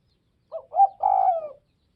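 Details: Spotted dove from the Tây Bắc (Northwest) region calling a single phrase: two brief clipped notes, then a drawn-out, husky coo that falls gently at the end. The background is quiet.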